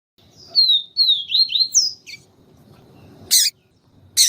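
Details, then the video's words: Yellow-bellied seedeater of the siu siu style, female calling to stimulate the male: a quick run of high, bending whistled notes ending in an upward slur, followed by two sharp clicks. "Canto Papa capim siu siu com Fêmea chamando para Esquentar papa capim siu siu"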